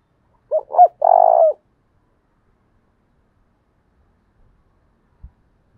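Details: Spotted dove used as a lure bird, giving the 'thúc bổi' call style in a voice described as 'thổ đồng': two short rising coos, then a longer, steady, slightly buzzy croo that falls at the end, followed by silence.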